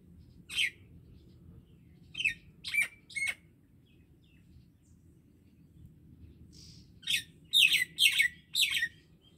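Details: Common myna singing in harsh, squawky chirped notes: one note, a pause, then a close group of three, a silence of about four seconds, and a final quick burst of four notes; quiet background otherwise.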